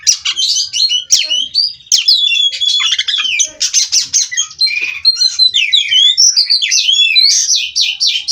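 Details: Kacer (Oriental magpie-robin) from a breeding farm pouring out ceaseless rolling song, mixing harsh squawky notes with twisting whistles and quick chatters in a dense, energetic flow.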